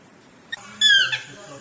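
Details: Chestnut-mandibled (Swainson's) toucan, a subspecies of the yellow-throated toucan, gives a single loud, yelping note sliding down in pitch, preceded by a faint click.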